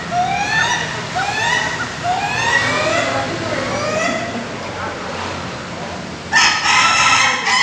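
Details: Ayam Ketawa, the Indonesian laughing chicken, crowing at a PAKEB Bogor group practice session held in a farm pen: a series of rising, harmonic syllables roughly every 0.7 seconds, like stuttering laughter, then a brief louder burst of other sound near the end.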